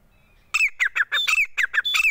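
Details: Grey francolin, locally called teeter, giving a rapid burst of loud, harsh, squeaky notes, each rising then dropping sharply, packed closely together with no other sounds.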